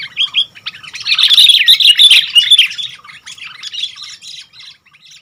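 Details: Kutilang, the sooty-headed bulbul, singing actively: a busy jumble of chirpy, warbled whistles that swells to a loud burst in the middle, then trails off into quieter scattered notes.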